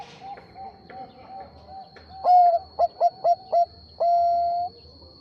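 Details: Bangkok-type zebra dove singing to provoke a rival into answering. Faint quick coos lead into a loud phrase: a drawn-out coo, four clipped staccato notes, then a long level coo. A constant thin high whine runs throughout.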